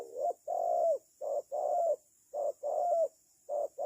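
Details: Spotted dove used as a decoy for bird trapping, giving low, hollow coos in paired groups, a short note followed by a longer slurred one, repeated at an uneven rhythm.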